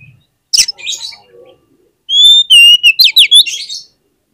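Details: Oriental magpie-robin song used as a lure to provoke other magpie-robins into singing: a harsh rasping burst, a pause, then loud clear whistled notes sliding up and down, ending in a run of scratchy chattering phrases.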